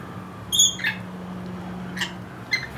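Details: Four lorikeets on a windowsill in the evening, two trying to bully the other two away, give a shrill, high squeak followed by three short, harsh screeches about a second apart, over a steady low electrical hum.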